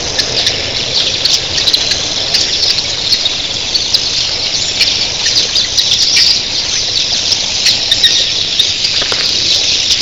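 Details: Thousands of red-billed queleas at early morning fill the air with a dense, high-pitched squealing chatter that never pauses, while their wings add a soft surf-like rush.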